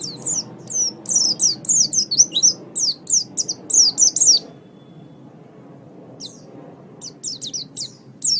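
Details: Oriental white-eye, a pet songbird, singing in a training master recording. About four seconds of fast, piercing chirps follow one another rapidly, then a pause, then a short renewed burst of thin notes.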